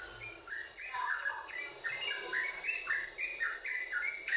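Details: Yellow-vented bulbul in brisk, continuous song, the sort used to draw other bulbuls into singing: a lively run of liquid chirps stepping up and down, ending with a sharp knock.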